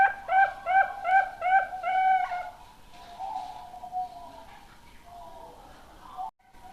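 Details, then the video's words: Juvenile zebra dove, a prospective Indonesian contest bird, gives its coo: five quick mellow staccato notes in a steady run, followed by a long soft trembling purr that trails away. "Suara Perkutut Piyik"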